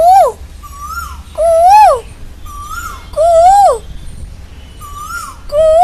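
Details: Asian koel calling loudly, each call a clear whistled note rising then sliding down, repeated about every one and a half seconds, with softer shorter whistled notes in between; no other clear sounds.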